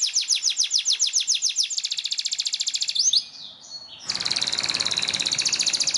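Canary song in rapid rolling tours: bright falling whistles about eight a second, then a faster high trill, a brief pause, and a dense buzzy roll.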